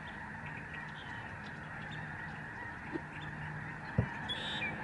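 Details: A large flock of Snow geese calls in flight above a Canadian migratory bird sanctuary in November 2011. Dense overlapping honking is joined by low rumbling and a couple of sharp knocks near the end.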